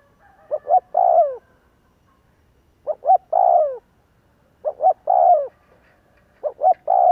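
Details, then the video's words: Spotted dove lure cooing, used to stir other doves into calling. Four phrases of two short clipped notes, then a longer, slightly downslurred coo. The phrases come about every two seconds against a quiet background. "Tiếng chim cu kích bổi Hiệu quả /Cu gáy kích bổi/ Chim cu gáy kích bổi 100% mở gáy liền"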